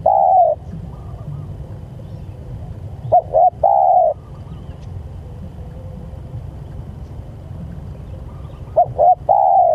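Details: Spotted dove calls to its companions in repeated phrases of a quick stuttered double note followed by a longer level coo, separated by several seconds of quiet with only a low hum.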